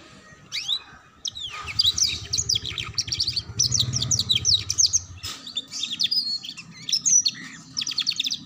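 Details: Canary training song in the ngeriwik style for young birds: a continuous run of quick high chirps and downward flicks, with a low hum in the background partway through.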